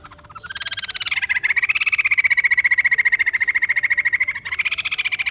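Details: Kept white-crested laughingthrush delivering a loud, sustained rattling chatter of quick regular pulses, starting higher then leveling into a steady run, briefly breaking before resuming.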